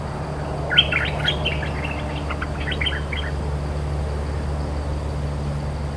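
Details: Cream-vented bulbul, a resident territory holder answering each phrase, delivers one quick babbling run of short whistled notes lasting about two seconds. It then falls silent, leaving a steady low hum.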